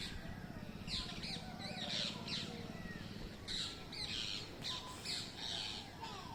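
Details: Green parrots calling from a mango tree, recorded on a mobile phone: groups of harsh, grating screeches in bursts with short pauses, over a low background drone.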